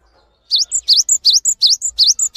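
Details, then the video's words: Cinereous tit singing as a training model for other birds: a rapid, loud run of about eight high two-part notes, each a sharp dipping sweep followed by a thin higher whistle, repeated evenly and clearly. "GELATIK BATU GACOR ANTENG UNTUK MASTERAN"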